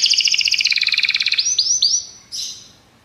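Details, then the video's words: Short Belgian canary phrase used for training: a fast pulsing trill of doubled notes slowing slightly, then three rising whistled slurs and a final high note. "treinamento para canário belga"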